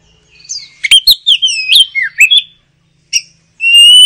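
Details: Oriental magpie-robin in full, lively chattering song: varied whistled phrases, slurred rising and falling notes and sharp clicks packed into a rapid burst, a pause, then a long pure whistled note held at the end.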